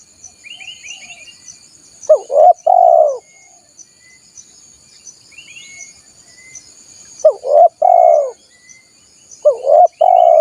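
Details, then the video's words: Wild-dove lure recording of a spotted dove: three phrases of a quick hooked coo, a rounded note and a longer falling coo, several seconds apart, with thin high chirps from small birds and a steady insect buzz behind. "SUARA PIKAT BURUNG TEKUKUR"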